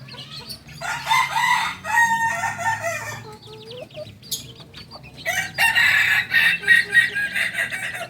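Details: A two-month-old Kokok Balenggek cockerel, singing chicken of Tigo Lurah, Solok, West Sumatra, crows twice: a rough sustained call, a pause with soft chick peeps, then another long harsh crow.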